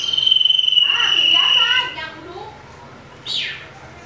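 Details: Common iora in a fighting rage, used as a lure: a long steady high whistle over a rapid trilling chatter, fading into soft warbling, then one loud downslurred chirp.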